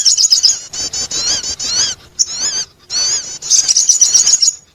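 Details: Sogon bird attracting call: clusters of fast, high squeaky notes, some rising and falling in quick loops, separated by brief silences, ending in a rapid buzzy trill.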